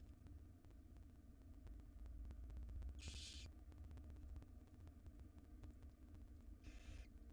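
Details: Nest-box barn owl young, wild, begging as the female delivers a jird; only two short hissing bursts about four seconds apart rise above a strong low rumbling hum.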